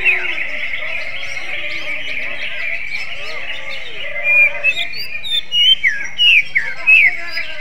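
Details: Greater green leafbird singing in a magpie-robin-like (kacer) style: low slurred notes early, then loud, sharp whistled upslurs and downslurs in quick bursts over a constant high chorus of other birds.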